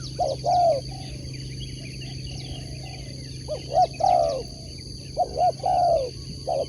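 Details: Sport spotted dove giving three mellow coo phrases a few seconds apart, short clipped notes leading into a long sliding coo, with faint background chirping and a constant low hum.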